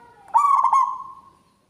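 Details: A local zebra dove singing keenly and loudly. A faint hum leads into a burst of about four quick, pulsing coos, which stretch into a long, smooth, fading note. No other sounds are heard.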